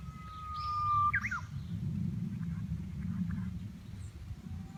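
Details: Japanese bush warbler singing in spring on 14 April 2019 at a planned building site: one long, steady whistled note of about a second breaks into a quick, sharp rising-and-falling flourish, over constant low rumbling noise, with faint distant notes afterwards.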